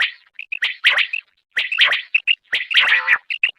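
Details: Quail (batair) singing: bursts of bright, chirpy whistled notes, some short and clipped, others run together into rapid warbled phrases, with brief silent gaps between bursts.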